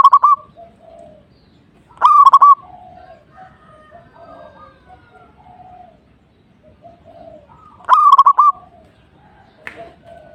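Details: Zebra dove (perkutut) singing in full voice to provoke a rival. Three loud, stuttering cooing phrases of rapid choppy notes, roughly six seconds apart, with softer, lower cooing trills from other doves between them.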